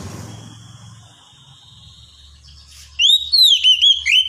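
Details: Oriental magpie-robin (kacer) therapy recording from Indonesian songbird keeping, aimed at a bold ngedon singing style: a long faint steady whistle, then loud clear whistled notes that rise and fall in quick, varied phrases near the end.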